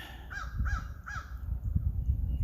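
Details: A crow spotted in a tree beside a walking trail on a sunny 2021 birdwatch gives three quick, arched caws about a third of a second apart, followed by low wind rumble and handling noise.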